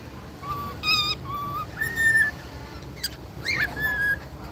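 Cockatiels whistle a series of clear, steady notes, some held flat and others sliding upward.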